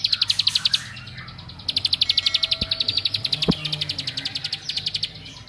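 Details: Fast clicking ngebren song of a bar-winged prinia, said to make other prinias agitated: high, dry notes in quick bursts separated by brief pauses, with a couple of faint taps.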